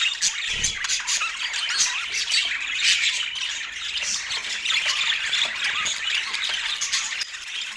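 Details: Pet parakeet during autumn morning feeding time indoors in natural light, giving a dense, unbroken stream of high, scratchy chatter and squeaky warbles that stays at a steady loudness for the whole stretch.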